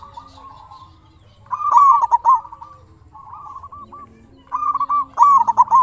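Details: Local zebra dove singing to provoke replies from other doves. A quiet purr swells into a loud rippling phrase of bent coos. After a softer trill in the middle, another loud phrase follows.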